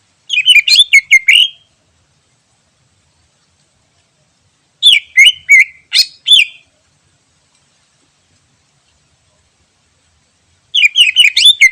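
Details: Greater green leafbird in the wild, suitable as a lure: three bursts of fast chattering song, each a jumble of quick rising and falling whistled notes, separated by several seconds of silence.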